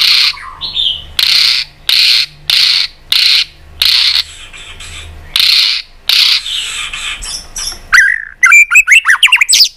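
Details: Tail-flicking white-rumped shama making tak calls to fire up fighting song: a steady series of loud, harsh rasping bursts about every half second, then a quick burst of high chirps and twittering whistles.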